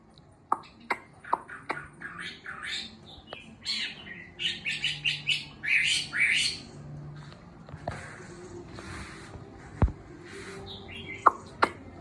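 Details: Caged Chinese hwamei of about six months, recovering song after its molt: scattered sharp clicks and snaps, a burst of rapid bright chattering whistled notes midway, then sparse clicks over a low background hum.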